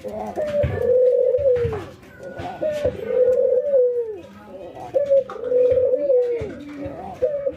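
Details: Ringneck doves, one white albino and one local, trained to call regularly while nodding: rolling laughter-like coos with downward endings, repeated about every two and a half seconds, a voice faintly behind.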